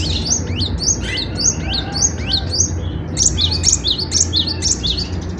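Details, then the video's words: Cinereous tit, a caged songbird singing constantly, its song used for tutoring other birds: quick repeated down-slurred whistles, then sharper high chirping notes, with low background hum. "Burung Kicau Gelatik Batu Gacor‼️Cocok untuk Masteran"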